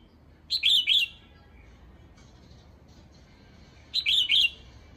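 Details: Red-whiskered bulbul female giving a call meant to stir up males, two short bubbly phrases of three slurred whistled notes, spaced roughly three and a half seconds apart over a quiet background.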